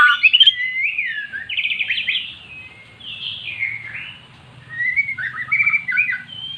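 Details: Caged magpie-robin, previously silent, singing after being lured with recorded magpie-robin song: varied whistled phrases, rapid trilled notes and sliding notes, in bursts separated by short pauses, with a faint low hum behind.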